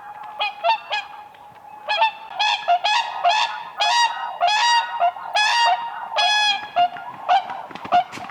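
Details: Whooper swans dancing on ice on a lake in spring, giving loud bugling honks in bursts, each note rich in harmonics, clustered calls overlapping from several birds.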